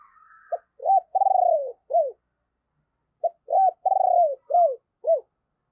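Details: A decoy spotted dove known for its thunder-like bầu voice calls to lure wild birds: a clear rhythmic phrase of short notes and one long falling coo, repeated twice after a pause.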